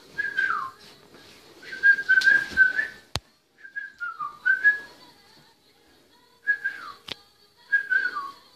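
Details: A pet cockatiel sings, whistling a tuneful song of falling and wavering notes repeated in short phrases.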